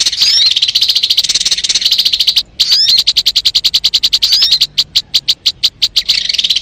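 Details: Sogon bird song, a clear recording played to lure and trap sogon birds: dense, rapid high-pitched chattering notes repeated about ninety times a minute, with short gaps and a burst of separate sharp ticks near the end.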